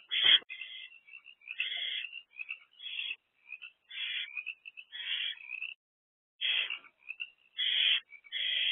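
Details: Owlets in a nest box, three together, on 13 April 2024 between 1:05 am and 12:46 pm: scattered raspy hisses mixed with faint thin chittering notes, with a brief pause near the middle.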